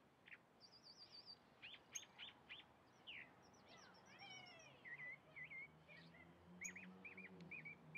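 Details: Chalk-browed mockingbird song in a varied phrase: quick chips, a fast trilled whistle, sweeping slurred notes, then short upslurred whistles repeated near the end, over faint background noise and a low hum.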